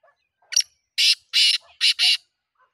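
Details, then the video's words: Black francolin calling: one short rasping note, then four loud, harsh, grating bursts, the last two closely paired, all within about two seconds. The background is otherwise quiet. "titar sultan voice"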